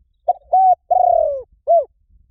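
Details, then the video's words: A spotted dove cooing, recorded to lure wild doves. A brief opening note and a steady coo lead into a long purring note falling in pitch, closed by a short rounded coo. "เสียงนกเขาใหญ่ หมานๆ ต่อเข้าเร็ว ป่าไหนก็เข้า"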